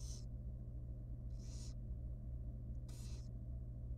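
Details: Tiny wild barn owl chick in a nest box at feeding time gives three drawn-out, rasping hisses, each about a third of a second, spaced unevenly against a constant low hum.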